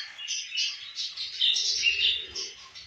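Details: A few seconds of budgerigars eating and playing: busy high warbled chirps and squeaks, layered and fast, with faint low rustling.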